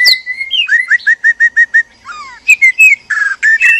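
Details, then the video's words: White-rumped shama pair, male and female, in a captive breeding enclosure during mating arousal; a run of clear repeated whistled notes about six times, then descending slurs and harsher buzzy notes. "PANCINGAN BIRAHI KAWIN MURAI BATU JANTAN DAN MURAI BATU BETINA"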